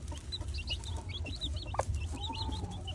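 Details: Baby chicks peeping: many short, high, rising chirps scattered throughout, soft against a steady low rumbling background.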